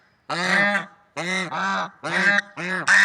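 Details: Loud, nasal, horn-like honks from swans in nature, one long call, then paired calls in quick succession, the last rising slightly in pitch.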